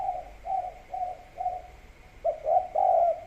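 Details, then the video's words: Spotted dove (tekukur) in kuk 3 gacor style near rice paddies: four soft, level coos spaced about half a second apart, followed by three louder, fuller coos in quick succession; faint constant high hum behind. "Derkuku's Gacor Calls"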